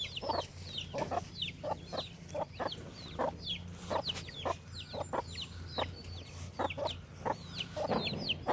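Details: Farm chickens in steady chatter: sliding high-pitched peeps mixed with frequent short clucks, against a continuous low-pitched drone.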